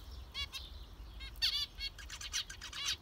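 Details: Short burst of zebra finch calling, a few nasal harmonic beeps and a louder cluster in the middle of three seconds.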